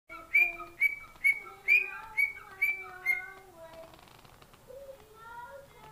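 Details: Pet cockatiel singing indoors: a run of about seven bright, repeated whistled notes roughly twice a second, each with a lower trailing tone, then softer warbling notes as the phrase fades.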